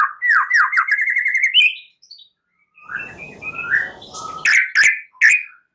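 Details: At night, a white-rumped shama lure song for stimulating singing: a quick rolling whistled trill, short slurred whistles over faint rustling, then loud abrupt chip notes.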